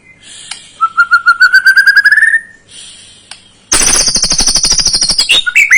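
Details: White-rumped shama lure song for a young bird: a fast trill rising in pitch, a brief pause, then a loud harsh high buzzy rattle ending in twisting whistled notes.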